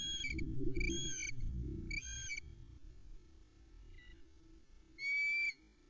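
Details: Impatient female Osprey at a Loch Arkaig nest, filmed by nest camera in May 2020, waiting for a fish delivery: a run of three shrill, whistled notes, a faint short one, then a final loud note, with rumbling wind-like noise early on.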